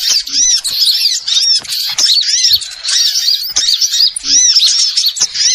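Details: Small birds in a trapping lure recording, giving rapid high chirps and looping squeaky notes in tight bursts, several birds calling at once with short pauses between bursts.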